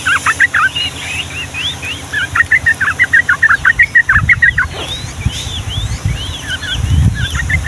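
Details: Yellow-vented bulbul long-rolling song used to prompt young birds into singing: rapid pulsed bubbly notes, about two per second, then looping arched whistles, with a deep rumble entering midway.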